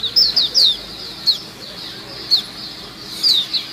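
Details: White-eye lure sound: a few high, thin, down-slurred chirps in a quick cluster at the start, scattered single notes after a pause, and another short burst near the end, over steady hiss.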